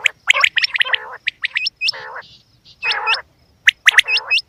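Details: A quail, possibly female per the tags, calls in short bursts of throaty, gurgling notes laced with sharp rising whistles, repeated roughly once a second with brief silent gaps.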